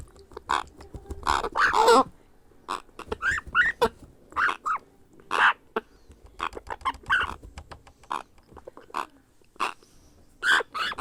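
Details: Grey parrot hatchling begging as it is hand-fed: clusters of scratchy, nasal squawks and clicks at irregular intervals, loudest near the start, then scattered softer bursts.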